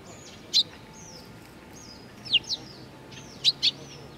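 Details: Eurasian tree sparrows including young ones, 19 June 2019, calling in loud high chirps, singly and in pairs, about once a second, with thin sliding whistles of other birds in the background.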